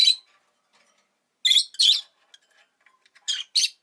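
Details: Pet rosy-faced lovebird chirps in short harsh bursts: one at the start, a close pair after a pause, then two more near the end, shrill and high with quiet gaps between.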